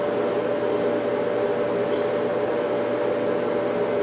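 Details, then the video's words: Five young house finches being fed by a parent in a backyard where the bird returns each spring and summer; continuous high, thin chirps tumble rapidly over a steady low hum throughout. "House Finch bird feeding her 5 little youngs babies"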